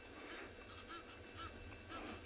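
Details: Egyptian geese call from behind a swamp at Tswalu Kalahari Reserve, South Africa, on a warm 16 October sunrise game drive: distant short, hoarse honks about every half second, faint beneath a steady wind hiss and open-air noise.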